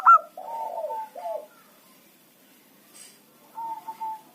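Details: Local zebra dove, a trapping lure bird, ends a brief stuttered note and gives low rolling coos sliding downward; after a quiet gap a level, wavering coo returns.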